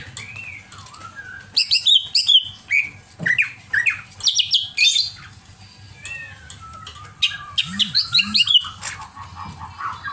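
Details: Greater green leafbird in an over-excited state singing bursts of squawks, rising and falling whistles and chattering phrases separated by short pauses, with a steady low hum underneath.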